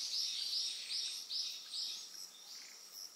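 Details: Eastern yellow wagtail on Amami Oshima, Japan: a rapid series of high, thin, arched notes, about two or three per second, over a steady high insect drone.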